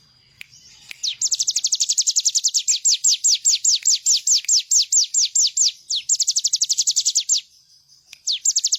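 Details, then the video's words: High, rapid, downward-slurred notes of a bar-winged prinia pour out in a long fast series, a short pause, then another quick run; used as a master recording for training songbirds. "Ciblek gunung gacor full bren..cocok buat masteran burung bahan agar ikut bunyi."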